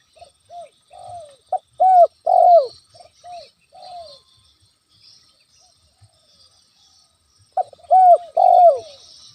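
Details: Spotted dove, local name tekukur, calling as a lure to provoke a rival's temper: two bursts of low, round cooing phrases, each a short note run into longer drawn coos, with a thin steady high insect-like hiss throughout.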